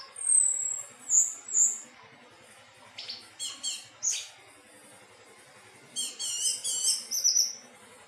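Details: Thrush, known locally as anis teleng, singing melodiously: short high whistled phrases and trills in bursts separated by pauses, some notes sliding and warbled, with faint low background clicking.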